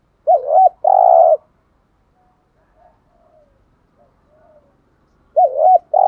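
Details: Cooing spotted dove in the 'thúc gù' decoy style meant to attract wild doves: a bouncing double hoot and a long mellow coo, then about four seconds of near silence before the same phrase starts again.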